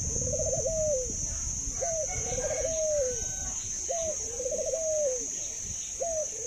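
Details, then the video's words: Caged Thai dove, an ornamental bird with a laughing, long coo, calls repeatedly about every two seconds. Each phrase is a brief rising note followed by a bubbling trilled coo ending in a downward slide. Steady hiss behind. "Chú chim cu Thái biết cười và có tiếng gáy lâu nhất thật đẹp"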